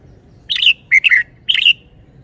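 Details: Red-whiskered bulbul, a caged songbird, gives a lively phrase of three warbled, slurred syllables, bright and liquid, each about a fifth of a second, in quick succession.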